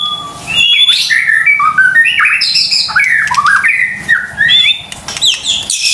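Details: Continuous rich warbling of a white-rumped shama, played to stir a quiet caged bird into singing; many short slurred whistles and rattling notes follow each other without break.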